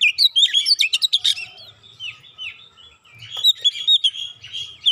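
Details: Agitated Oriental magpie-robin, provoked and bursting into its isian repertoire, opens with a dense volley of fast chirps and harsh notes, then a quieter lull, then a run of wavering, warbled whistles.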